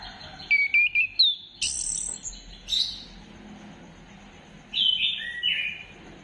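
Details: Orange-headed thrush song used as a lure to get other birds singing, dated 15 December 2025: high whistled slurs and a bright upward-sweeping phrase, then a pause before rising and falling whistles near the end.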